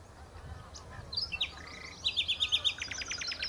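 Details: Nightingale singing at the Horsmeertjes, Texel: a few whistled slurs, then a rapid rattling series of identical short notes and a run of sharp high strokes, rhythmically pulsing.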